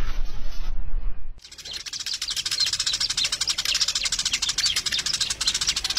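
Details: Sparrows chirping in a dense, busy chatter of short high chirps repeated several times a second, after a brief quiet stretch with a thin whistle-like tone at the start.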